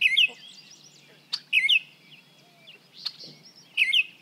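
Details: Baltimore Oriole from 55 feet away, part of a test of shotgun versus small and large parabolic microphones; brief clear whistled phrases repeated about every 1.5 seconds over a hissy background with occasional sharp ticks.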